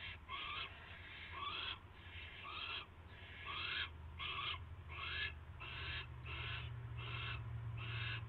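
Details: Owl at the nest on March 2, 2016, around 7:05 PM, during a rat delivery; harsh, raspy hissing bursts with a short rising whistled edge, repeated roughly every three-quarters of a second, over a steady low hum.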